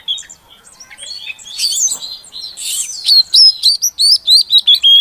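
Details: Female Oriental magpie-robin (kacer betina) calling to stimulate a silent male to sing; a soft jumbled chatter gives way to a rapid series of loud, clear, high whistled notes, each rising or falling, repeated several times a second.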